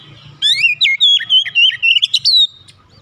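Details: Home-kept Oriental magpie-robin singing a two-second phrase of loud, slurred, warbling whistles, with a faint low hum underneath.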